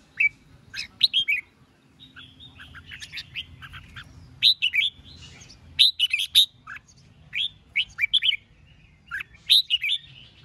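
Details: Red-whiskered bulbul in competitive song aimed at rival birds: a long series of cheerful, warbling whistled phrases, delivered in quick clusters separated by brief gaps over ten seconds.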